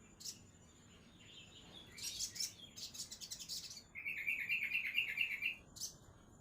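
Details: Sogon songbird opening with scattered high chirps and dense twitter, then a clear, rapid, evenly repeated trill lasting about one and a half seconds, ending in a single sharp note.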